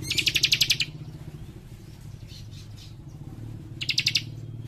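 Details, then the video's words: Young cikrak leaf warbler, a busy singer, gives tight rapid trills: a burst of about eight high, ringing chips, a pause of three seconds, then another, with steady low mechanical rumble underneath. "Cikris Muda Gacor Nembak Rapat"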